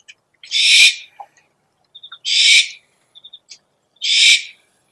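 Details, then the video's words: Owl lure call: three rasping, breathy screeches at a steady pace of about one every 1.7 seconds, with soft, rapid triple chirps in the gaps. "SUARA PIKAT BURUNG HANTU - SOUND CALLING OWLS"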